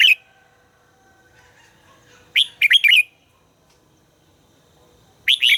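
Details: Red-whiskered bulbul kept for voice training, giving three short bursts of loud, bright whistled phrases about three seconds apart, sweeping and warbling, with quiet pauses between and faint background hum.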